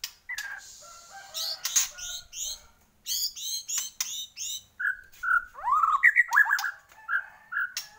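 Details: White-rumped shama of the Borneo type singing vigorously: repeated high, buzzy, trilled notes, then clear mellow whistles and a swooping rising phrase, with sharp clicks scattered throughout.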